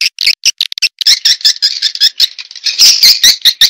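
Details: Swiftlets in a lure recording made to attract swiftlets: dense, high chattering chirps in quick bursts with brief gaps, a rattling twitter that swells louder toward the end.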